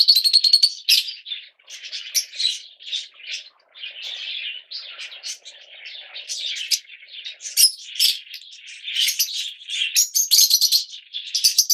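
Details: Yellow Fischer's lovebirds keep up a steady, rapid chatter of piercing chirps, roughly two to three notes per second, with sharper high squeals late on.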